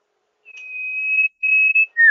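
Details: Sirtu lure recording for rice fields: a pure, level whistle broken into three sections of rising loudness, leading into a loud downslurred note at the end.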